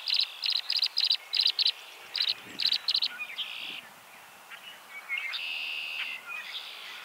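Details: Tree swallow calling while defending its nest box: a rapid run of high, clipped chirps, about three a second, then buzzier, liquid gurgling notes.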